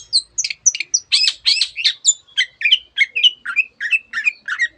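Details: Long-tailed shrike in vigorous full song, mimicking canary and many other bird species; a fast run of varied high chirps and slurred notes, about three per second, with no other sounds.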